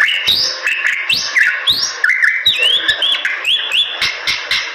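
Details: Bali myna, a starling-family songbird about 25 cm long from western Bali, delivering busy song of upward-sweeping whistles, dipping slurs and chattering notes punctuated by sharp clicks.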